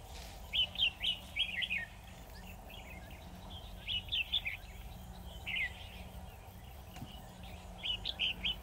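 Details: Red-whiskered bulbul singing as a decoy at a trap for a single wary wild bird; groups of three or four bright warbled notes separated by pauses, with a faint steady low drone underneath.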